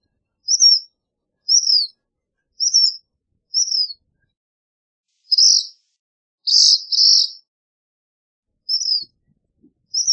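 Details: Black phoebe calling and singing: a run of high, thin downslurred chips at steady intervals, then doubled buzzy notes and more chips, clean and quiet between phrases.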